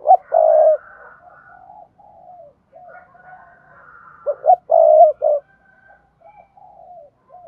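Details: Spotted dove used as a lure to stimulate other doves to coo: two loud phrases, each a couple of short clipped notes followed by a longer hoarse coo, with fainter cooing from other doves in between.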